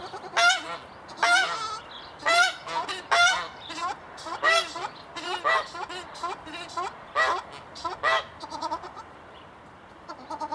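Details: A swan goose, one of a pair in an open enclosure, gives loud, nasal honks in uneven bursts, about one a second, with some calls stretched into brassy, quavering notes.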